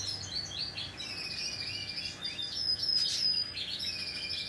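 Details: High chirping from a hand-tame Pacific parrotlet, 26 November 2021: rapid, uneven strings of thin rising and falling tweets, several per second, with a louder squeaky cluster near the three-second mark and faint background hum.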